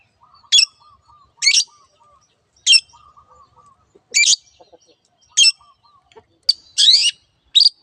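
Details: Long-tailed shrike song in the "teot teot" style: loud harsh rasping bursts about every second, with soft low whistled notes repeated between them.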